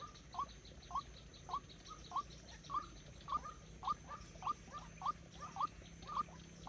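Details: White-breasted waterhen kept as a decoy bird for trapping: a steady series of short, sharp mid-pitched notes, about twelve in six seconds, each repeated roughly every half second, over faint low background hum.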